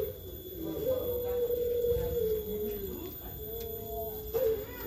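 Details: Turtle dove (puter pelung) producing a long drawn coo that sags slightly in pitch, then a shorter flat coo after a pause, over faint background noise.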